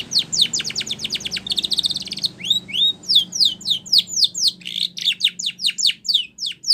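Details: Spanish Timbrado canary singing for training canaries: a quick burst of sharp chirps, a bubbling rolled trill, arched whistled notes, then a long, even series of high falling chirps at several per second.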